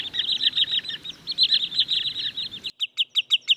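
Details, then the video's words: Wood sandpiper giving fast, high, sharp chipping notes: a dense excited run, then a clean string of about six clipped notes in quick succession. "صوت جديد لطيطوي الغيط (زنزوني) Wood Sandpiper's New Sound"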